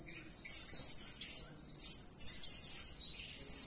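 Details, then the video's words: Gacor blue-crowned hanging parrot calling with thin, sibilant high squeaks, which rise into two louder, buzzy bursts separated by a short dip. "Edisi Suara Serindit Gacor || suara gacor si Sayap Kuning memanggil"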